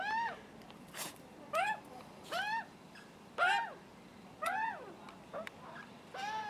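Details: Juvenile Australian magpies begging for food, their nervous father close by: a series of about eight harsh, down-curving screams spaced under a second apart, fainter against background hiss, with a few clicks between them.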